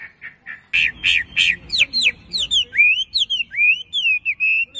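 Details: Wambi song recorded to train captive birds: a few soft notes, then loud repeated buzzy chirps, breaking into quick swooping whistled notes about three per second, with faint low background rumble.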